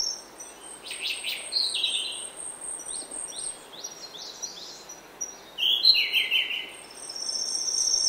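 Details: Early-morning song of a grey-backed thrush in oak woodland, two bouts of clear fluty phrases ending in higher twittery notes, about four seconds apart, with other small high chirps and a steady thin high-pitched hum behind.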